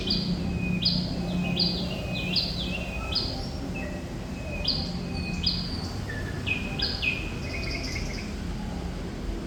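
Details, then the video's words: Thrush nightingale in active song: scattered pure whistles, some stepping down in pitch, given in loose groups, set against constant heavy low background noise. "Sikatan Londo Thrush Nightingale Gacor"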